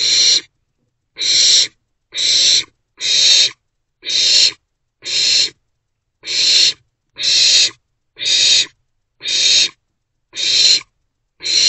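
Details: Three owlets in a nest box, recorded between early morning and midday on 4/13/24: loud, harsh, broadband hissing screeches, about one burst per second in a steady series, with silence between bursts.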